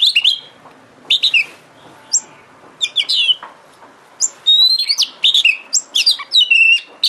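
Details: Oriental magpie-robin (kacer) lure song to stir a kacer into active singing: varied loud phrases of sharp chips, downslurred notes and clear rising whistles, growing denser toward the end.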